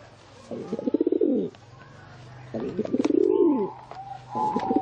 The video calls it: เสียง นกพิราบ